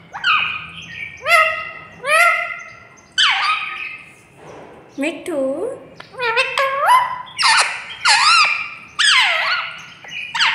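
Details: Pet parrot talking indoors with its owner: a run of short, squawky, strongly harmonic syllables with sharp starts and gliding pitch bends, about ten bursts in quick succession, with soft background music.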